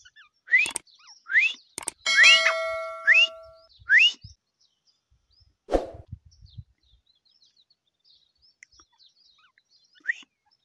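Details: Grey francolin giving several rising, whistled notes in quick succession. A sustained metallic ringing tone, clicks and a dull thump interrupt the calls, then one last rising note follows after a pause.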